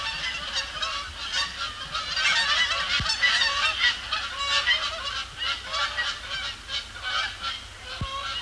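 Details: Post-sunset flock of Canada Geese circling then landing on Sapsucker Woods Pond, Cornell Lab of Ornithology, on an overcast Thursday in October 2017; dense, rapid honking from many birds at once, swelling and easing, with two low knocks.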